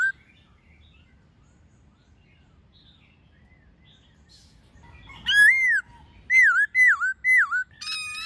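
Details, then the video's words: White-cheeked laughingthrush in the wild with a female, song used to train captive birds: after a long quiet stretch, a few loud whistled notes that dip and rise, repeated in a short burst near the end. "Khướu Hót giọng rừng NHIỀU GIỌNG + MÁI RÒ khướu bổi"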